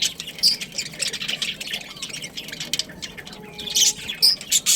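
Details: Pet budgerigar breeding pair calling with scattered raspy squawks and a few short chirps, quiet stretches between bursts and a faint steady tone in the background.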